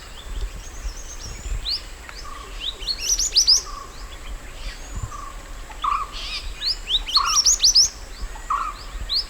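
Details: Mountain white-eye song, natural wild recording used as a master song for training cage birds: rapid high twittering bursts of thin rising and falling notes, with lower warbled phrases between, over steady background hiss.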